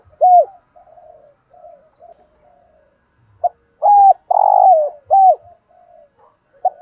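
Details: A spotted dove with a 'thổ sấm' voice sings one of its many variations. A single loud hooked coo is followed by quiet murmurs and a pause. A full phrase follows: a sharp note, an arched coo, a long rough falling coo and another hooked coo.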